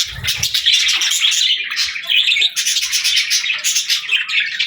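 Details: A group of pet parakeets chatters nonstop: rapid, high, twittering chirps layered over one another, with a low soft sound at the very start.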